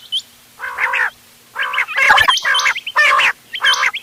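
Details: Mixed quail calling for hunting, 31 October 2025, ghonge wal, doghla and changa types: low raspy, gargling bursts in a slow series, each trailed by a small high hooked chirp.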